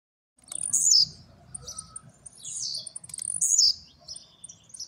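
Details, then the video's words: Blue-black grassquit newly kept at home and coming out of moult, singing the fast trincadeira style: very high, thin, buzzy bursts repeated roughly every one and a half seconds, with a faint low hum beneath. "Apresentando mais novo tiziu d casa,trincadeira e velocidade"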